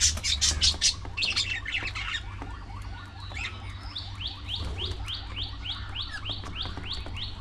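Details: Budgerigars at early morning feeding time: loud harsh squawks first, then a run of about fourteen quick rising chirps repeated roughly twice a second over soft chatter and a low hum.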